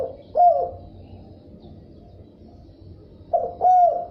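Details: Two separate bursts of spotted dove cooing, each a brief hollow low coo, about three seconds apart, with quiet low background hum between them.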